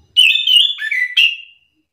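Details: Orange-headed thrush singing in a counter-singing exchange meant to provoke other thrushes to answer: one continuous, rich warbled phrase of clear whistles with quick slurred notes, lasting about one and a half seconds, with no other sounds.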